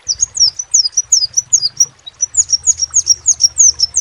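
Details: Vocal crimson sunbird repeating high, squeaky downslurred notes at about four per second, pausing briefly midway before resuming, low hum throughout.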